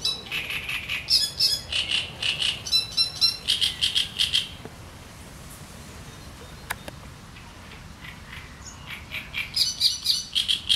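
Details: Great reed warbler delivering sharp chattering song in the reeds, a run of harsh repeated notes for about four seconds, a quiet pause, then the chattering resumes near the end.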